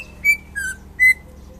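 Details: Three short, pure whistles from a champion greater green leafbird in Indonesia, the middle note lower, spaced about a third of a second apart.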